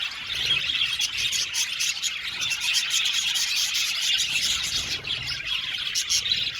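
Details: Flock of budgerigars in an aviary, unbroken high-pitched chattering of chirps, tweets and warbled notes from many birds at once.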